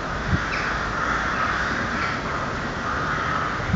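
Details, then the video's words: Crows give a few harsh, rasping caws at night, partly buried under a steady rushing background hiss; the night-time cawing sounds eerie. "krähen krähen in der nacht - crows crow"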